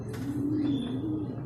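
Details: Racing pigeon in Guiguinto, Bulacan, back from its second truck training release with the group; a drawn-out, level, low coo lasts about a second, then wavers slightly, over a steady mechanical hum.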